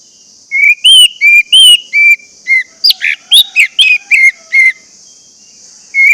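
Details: Orange-headed thrush song meant to make caged birds sing: a long run of loud whistled phrases, some sliding, some buzzy, mixed with sharp chattering notes, with a faint steady high hiss throughout.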